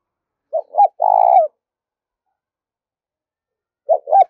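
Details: Spotted dove decoy bird calling to lure others: a short coo pair and a long sustained low coo, then a long silence before another short double coo begins.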